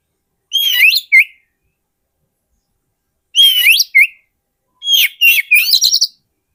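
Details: Oriental magpie-robin singing as a lure for wild magpie-robins: two whistled phrases with rising sweeps and a short tail note, then a rapid series of varied chirps and whistles.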